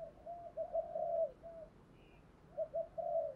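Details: A spotted dove kept as a lure calls to wild doves. Quieter, muffled coo notes sound in two short bursts over a steady background hiss.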